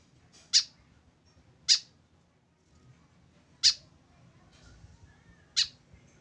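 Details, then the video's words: Lonely tame white-breasted woodswallow without a companion calling with sharp grating notes, four strong calls at uneven intervals of one to two seconds, low hum behind. "KESEDIHAN BURUNG KEKEP BABI TANPA TEMAN"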